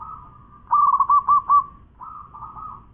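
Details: Zebra dove of a local strain, a champion singer, gives a burst of four loud, rounded cooing notes followed by a quieter, trailing purr at the same mid pitch.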